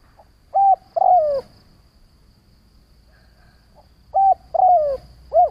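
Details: Spotted dove decoy used to stir up wild doves: a low coo, a level note, then a drawn-out sliding coo, then a pause and the same three-part phrase again with an arched ending note.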